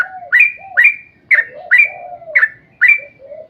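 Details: Sooty-headed bulbul giving rolling song used as a lure for other bulbuls: six emphatic upslurred whistled notes, each with a short level tail, roughly every half second, over lower drawn-out warbles.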